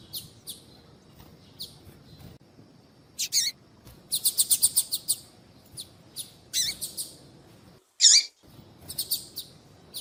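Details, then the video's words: A female double-collared seedeater keeps calling to attract males; sparse high chips, then a fast run of about seven ringing notes, a loud isolated chirp, and more chips after a short gap. "fêmea de Papa capim Chamando Muito"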